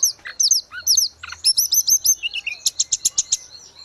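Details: Vigorous grey-cheeked bulbul song for training caged birds: curved whistled notes in quick succession, a repeated series of arched chirps, then a steady run of sharp high chips.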